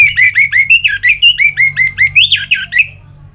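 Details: Orange-headed thrush, north Bali, singing to stimulate other birds: a steady string of about fifteen loud, down-slurred whistled notes, roughly five per second, over a low hum.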